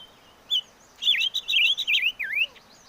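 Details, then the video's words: Chim ngũ sắc singing a bright, loud phrase of slurred whistled notes that swoop up and down in quick succession after a single short opening note, with a quiet background. "Suab Noog Quaj || Chim ngũ sắc hót hay"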